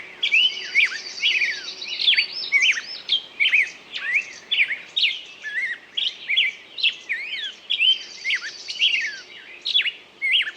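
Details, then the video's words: Continuous bird song of chirpy, sliding whistled notes, with occasional buzzy high trills mixed in. The phrases run on for the full stretch with little silence. "пение птицы"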